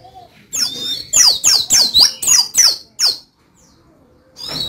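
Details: Contest Oriental white-eye, Dakun type from Pacitan, delivering a rapid run of about seven loud, downward-sweeping high notes, then falling silent before a new phrase begins.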